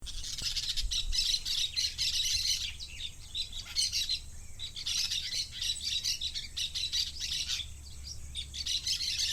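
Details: Two parakeets chatter, in a house or a forest, in a steady stream of high, scratchy chirps and warbles, with short squeaky notes overlapping almost without pause.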